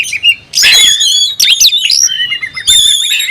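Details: Oriental magpie-robin (kacer) singing while looking for a rival: loud whistled phrases sliding between high notes, with bright harmonic-rich tones and short pauses, some rapid chirps mixed in.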